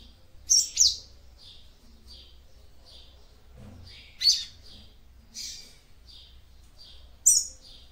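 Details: Female capped seedeater (papa-capim) singing to stimulate a male: short high chirps and buzzy notes in scattered bursts, each around a second apart, over quiet low background hum.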